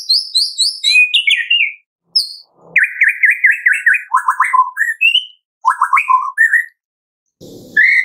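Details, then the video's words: Medan white-rumped shama giving a rich, varied morning lure song meant to get captive shamas singing: high rippling whistles, an even rapid trill, descending fluty runs, then a short harsh rasp. "Pancingan pagi hari MURAI BATU MEDAN GACOR FULL ISIAN"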